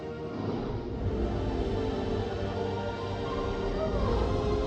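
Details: Steady music fills the recording, with faint speech beneath and no animal voice.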